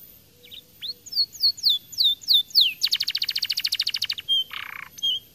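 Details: Lively 'gacor' canary opens with rising and falling whistled slurs, then bursts into a dense, rapid, high trill, ending with a harsh buzzy note and short whistles.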